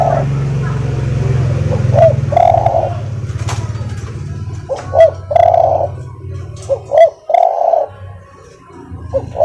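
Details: Spotted dove giving a soft-voiced song used to train other birds: a short note, a rising upslur, then a long mellow coo, repeated about every two and a half seconds over a steady low rumble.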